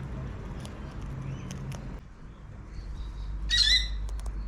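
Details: Wild cockatoo in a backyard in Adelaide, South Australia, giving a single short, harsh, raspy screech with a rich harmonic stack, after a stretch of quiet low background rumble and faint clicks.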